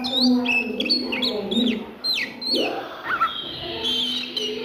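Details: Oriental magpie-robin giving midday song, crisp high whistles and steep downward slurs in clusters, then softer sustained high notes, with a low humming background.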